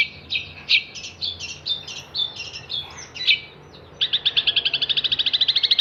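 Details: Long-tailed shrike singing for songbird training: varied chirps and whistles for four seconds, then a fast, even trill of identical ringing notes, around ten per second.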